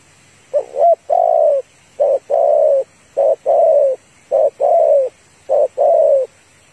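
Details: Female spotted dove calling to rouse a male, used in trapping: five regular phrases, each a short note then a longer falling coo, repeated about once a second, mellow and even over light hiss.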